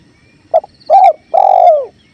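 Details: Spotted dove (tekukur) calling in a recording made for masteran bird training, set to clear river sounds: a short low coo, a fuller coo, then a long drawn-out coo that falls at the end, with faint high whistles behind.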